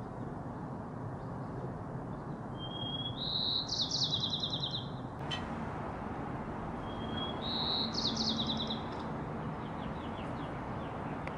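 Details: White-crowned sparrow in a San Francisco backyard in Miraloma Park, singing two matching phrases about five seconds apart, each a thin whistle rising into a buzzy, rapid descending trill, against constant low urban background noise.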